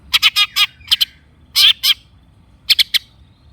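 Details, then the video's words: Long-tailed shrike with coarse squawking chatter: a rapid group of four rasping notes, a pair, a longer harsh burst, then two quick clipped notes; a lure to stir silent shrikes. "kicau cendet gacor pancingan cendet stres macet bunyi JADIKAN cendet NYAUT GACOR"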